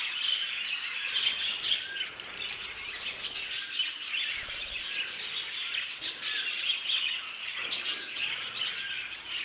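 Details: Budgerigars in an aviary warble and chirp continuously, high twittering notes blending with occasional short whistles across the whole flock.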